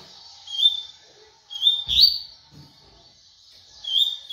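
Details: Brief high whistles and a sharp buzzy note from a double-collared seedeater in tui tui style, three short separated bursts over about four seconds, with a soft low thump in the middle.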